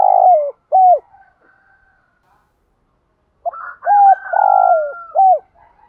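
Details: Lure spotted dove calling to stir wild doves into cooing. Two low hollow coos open the clip, then a longer throaty phrase overlapped by a higher, drawn-out call from another bird.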